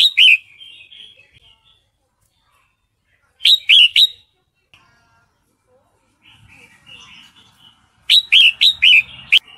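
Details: Female sooty-headed bulbul, in breeding condition, calling for a male: rapid clusters of three to five sharp, bright chirps, separated by quiet gaps and faint twittering, with some low rustling near the end.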